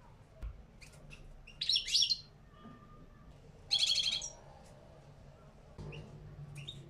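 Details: A caged two-year-old European goldfinch of the small parva race gives two brief bursts of bright, tinkling twitter, each about half a second long and two seconds apart, with a few scattered high chirps.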